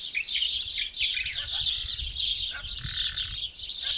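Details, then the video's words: Early morning birdsong near Benslimane, Morocco: overlapping high chirps and trills from many birds form a continuous chorus, with low rumbling background noise. "صوت العصافير في الصباح الباكر ✅ La voix des oiseaux tôt le matin"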